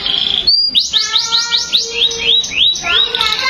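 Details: Canary with a steady whistled note, a brief pause, then a string of rising-falling whistled sweeps at about three a second, ending in a buzzy trill.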